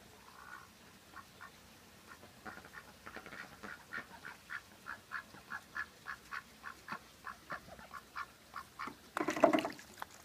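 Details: A domestic duck, one of a female and male pair, gives a long run of loud, nasal quacks, about three a second and steady in pitch, ending in a brief burst of rough noise.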